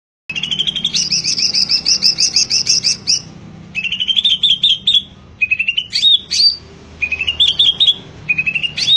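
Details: Greater green leafbird singing vigorously: rapid series of bright whistled notes around high pitch, trilled runs and slurred upward-sweeping phrases in bursts, with short pauses between phrases and a faint low hum beneath.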